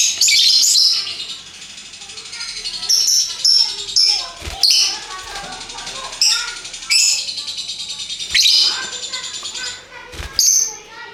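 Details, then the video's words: Ngekek from colourful hooked-bill lovebirds: continuous high-pitched twittering and squeaky chatter, rising and falling in loudness, with occasional sharp knocks. "Burung Lovebird Rupa Rupa Warnanya, Burung Paruh Bengkok, Bunyi Ngekek Gacor"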